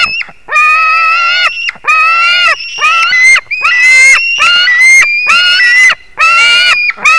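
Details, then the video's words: A white-tailed eagle at 22:10 on 21 July 2019 calls repeatedly, with about eight harsh, ringing, harmonic screeches of under a second each in a steady run separated by short breaks. "Juras erglis Haliaeetus albicilla"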